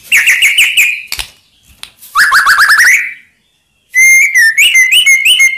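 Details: Singing white-rumped shama used to provoke rival birds: fast rattling trills of repeated notes, a short gap, then a bright sequence of clear whistled notes stepping up and down.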